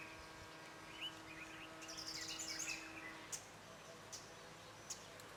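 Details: White-browed robin-chat singing: a quick burst of high chirped and whistled notes through the first three seconds, followed by a few isolated sharp notes, over a steady low hum and background noise.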